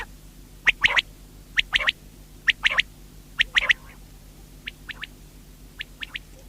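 A common quail repeats its short, liquid three-note phrase, 'wet-my-lips', about once a second, then fainter phrases follow; a low hum runs underneath.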